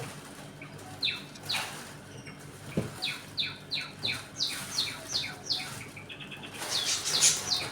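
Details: Budgerigars in a home colony, eating, playing and fighting: a run of sharp, downward-sweeping chirps repeated about three times a second, ending in a harsh burst of squawky chatter.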